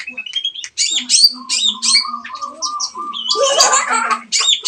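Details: Lure song of a long-tailed shrike, meant to make a silent bird sing: rapid scratchy chirps and high whistles over sustained low tones, ending in a loud harsh rasping burst, with faint music.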